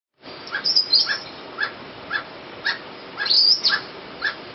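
Emerald toucanet giving a series of dry, barking croaks, about two each second, over a steady hiss; a few higher chirps are mixed in.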